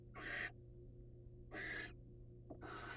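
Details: Wild barn owls on a birdcam, the male passing his catch to the patient female. Three breathy, rasping screeches each last about a third of a second, separated by pauses of a second or more, over a faint electrical hum.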